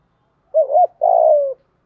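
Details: Brief spotted dove phrase in the 'thúc gù' stimulating style for decoy use: a quick wavering two-part note followed by a longer, vibrating coo that slowly drops in pitch.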